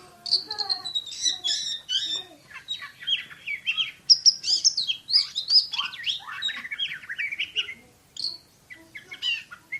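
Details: Oriental magpie-robin, a contest champion, sings rapid shooting notes in tight succession: high sweeping whistles and chirps building into a busy middle passage, then quieter scattered notes toward the end.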